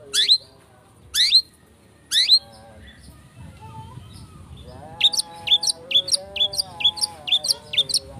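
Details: Long-tailed shrike lure song to provoke singing: three loud hooked, downslurred squawks about a second apart, then a quick series of short whistled notes over faint steady tonal lines.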